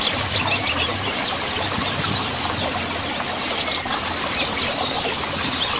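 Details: Mountain white-eyes chatter continuously in high, thin, rapid twittering phrases, with several voices overlapping over a soft, steady background hiss; the recording is used as a lure to prompt silent white-eyes to start singing.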